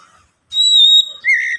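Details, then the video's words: White-rumped shama song played to prompt other shamas to sing: one long, level, pure whistle, then after a short gap a lower, slightly rising whistled phrase. "Pancingan Kacer agar cepat bunyi super ampuh"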